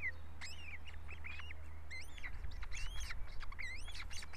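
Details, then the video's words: Osprey nest squabble, Estonia: shrill whistled cheeps in clustered bursts, each note arching up and falling, some with a harsh edge, repeated several times over a low droning background. "Скопа. " Разборка" в гнезде..."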